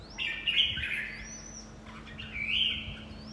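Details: Red-whiskered bulbul in fight training, giving two bright, chattering whistled phrases, the first longer, the second starting near two and a half seconds, over a steady low hum.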